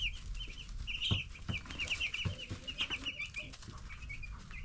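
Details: Young broiler chicks aged ten days chirp continuously in shrill overlapping peeps, with soft thuds and a low rumbling hum behind.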